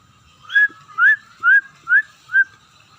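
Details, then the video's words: Scaly-breasted munia starting to sing actively, producing five clear, upslurred whistles evenly spaced about half a second apart. "burung emprit [peking] mulai gacor"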